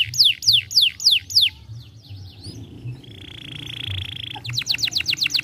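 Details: Young canary song meant as stimulation: a few loud descending whistled notes, a quiet pause, a sustained buzzy trill, then a fast burst of repeated sharp downward notes.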